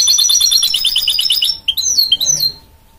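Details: Hybrid goldfinch-canary mule giving a loud rolling trill that breaks into a few twittering slurs and fades to quiet.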